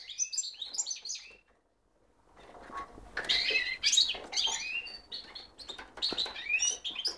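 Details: Cock goldfinch mule in full song: rapid, bright twittering and chirping phrases high in pitch, a brief pause near the second second, then dense jangling bursts with sharp upward-sweeping notes.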